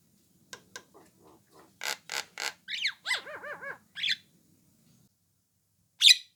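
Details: Javan myna, orange-eyed, calling to coax other mynas into answering: a growing series of harsh rasps, a string of fast looping whistled notes, a buzzy squawk, silence, then one loud piercing shriek.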